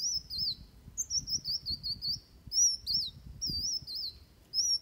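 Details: Van Hasselt's sunbird giving its fighting song, used as a tutor for training birds: thin, high wavering whistles, each slurred up and down, repeated in short phrases with brief gaps and faint higher overtones.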